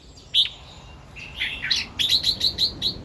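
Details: Red-whiskered bulbul singing in the morning, in the doubled 2-3 and 'rik' styles: one bright whistled note, a short pause, a rich warbled phrase, then a quick run of six clipped chirps.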